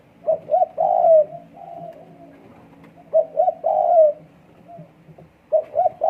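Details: Spotted dove in breeding condition producing its coo phrase three times: two short notes then a long, slightly downslurred coo, phrases spaced about two and a half seconds apart, with faint coos between.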